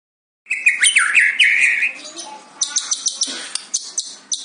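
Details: White-rumped shama in fighter-style song, a captive songbird: a warbled rising and falling phrase, then a quick series of sharp high ticks and chips.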